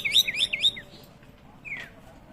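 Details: White-rumped shama song played to stir captive birds into replying. Three quick looping whistled notes run together, followed by a pause and a single sharp descending whistle.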